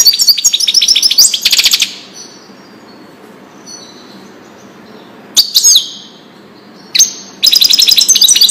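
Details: European goldfinch song, of the wedani style, played to teach young goldfinches and hybrids: rapid bursts of bright, tinkling, high twitters and rattles, with a long near-silent pause midway and sudden loud returns.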